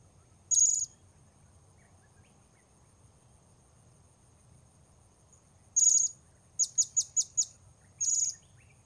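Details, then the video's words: Blue-crowned hanging parrot during bird luring at Port Baru: longer buzzy high-pitched notes spaced far apart, plus a rapid even series of five thin chirps near the end, set against a quiet background and steady high hum. "Memikat Serindit Di Port Baru"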